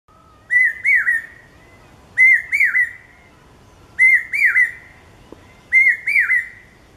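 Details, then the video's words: A resident Common Hawk-cuckoo (brain fever bird) in India gives its shrill three-note "brain-fe-ver" call four times at steady intervals of under two seconds against a quiet background. "Common Hawk Cuckoo A.K.A Brain fever bird calling"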